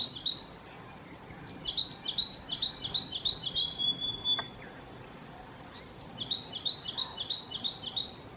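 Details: Ashy prinia (Prinia socialis), possibly recorded in Kerala, India, calling with rapid, high, sharp notes in two bursts of repeated chirps, about three per second, over a faint background hiss.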